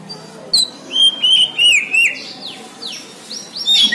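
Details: White-rumped shama of the Borneo form singing vigorously: a run of clear whistled phrases, some sliding and some warbled, broken by short high sharp notes, with quiet background hiss.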